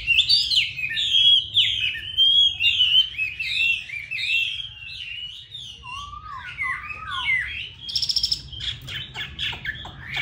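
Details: Chinese hwamei, a caged bird from Hà Nội, singing a rich varied song of loud whistled phrases that rise and fall, with lower slurred whistles midway and a quick rattling trill near the end; faint low room hum.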